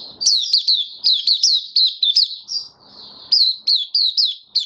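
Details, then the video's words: White-eye performing open song (buka sing) on 18 May 2022, following deworm treatment and health supplements; loud, sharp, high chirps repeated in rapid groups, one brief drawn-out note midway, faint room noise. "Mata Puteh Kitaro buka sing"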